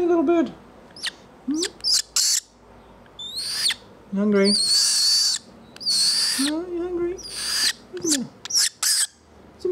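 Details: A young rescued Australasian swamphen (pukeko), raised as a pet after its parents were killed by a car, gives harsh, high, screechy begging squeals in short bursts while being fed, interrupted by a man speaking softly.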